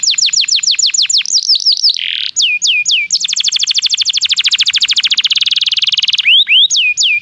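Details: Canary song used to lure other canaries into singing: a run of quick descending whistled notes, a brief buzzy burst, then a long, very rapid rattling trill, ending with a few swooping whistles; clean recording.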